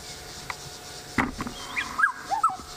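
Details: On 28 October 2016 a black-headed oriole calls happily up in a tree, possibly territorial or to attract a mate. A sharp knock comes first, then a rich, mellow phrase of falling whistled notes.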